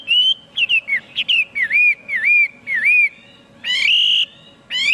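A Chinese Hwamei sings loud, clear whistled phrases: quick slurred notes, then a run of dipping whistles and a long bright rising note, with a faint low hum behind.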